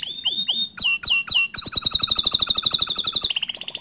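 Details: Atlantic canary song used to push rival canaries into singing: a few swooping whistled notes, then a long rapid rattling trill of about twenty pulses, ending on a higher buzzy roll.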